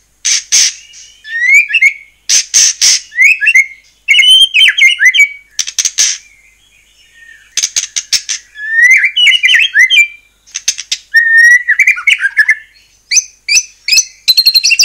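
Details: White-rumped shama (murai batu) in full song, used as a lure to provoke other shamas into singing: loud, varied bursts of clear whistled phrases and sharp high notes, broken by short pauses.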